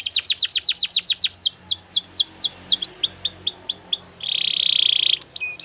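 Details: Training song of a Belgian canary: a fast run of downward-swept whistles, then slower rising slurred notes, a loud harsh buzzing roll, and a few final clipped chirps.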